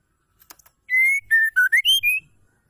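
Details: Call of a female white-rumped shama, used to get male birds singing: one bright whistled phrase of a sustained note followed by quick notes that drop then rise, with faint taps beforehand.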